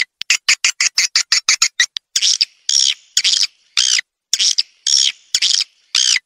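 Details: Swiftlet house lure sound of edible-nest swiftlets: about a dozen evenly spaced dry clicks over two seconds, followed by six or seven harsh, buzzy chirp bursts at a steady pace.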